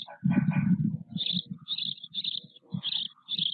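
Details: Four nearly equal-sized white stork (Ciconia ciconia) chicks with their father at a nest in Nové Mlýny, 8 May 2024, give rough hissing bursts about every half second over low rumbling and knocking from the nest.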